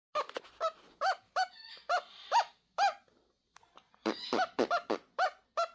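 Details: Pet peach-fronted conure, described as non-verbal, answering an owner's noises by trying to copy them: a series of harsh, nasal, honking squawks in quick bursts, with a short pause midway and then a faster run of calls.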